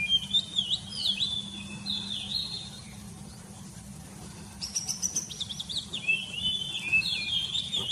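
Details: Morning birdsong of high, bright whistled notes in quick repeated phrases, broken midway by a brief rapid chattering burst, then more sliding whistles, with a faint low hum throughout.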